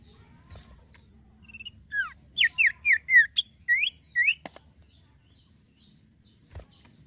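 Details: Male common iora: a soft whistle leads into about seven loud, bright notes, each sliding downward, delivered roughly twice per second, followed by quiet with a few faint clicks.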